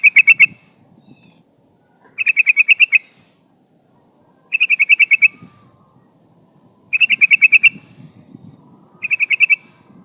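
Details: Female sooty-headed bulbul in breeding condition calling the male, used as a decoy to lure wild birds; short bursts of six to eight sharp, rapid notes repeated every two seconds or so, with a faint steady high hiss behind.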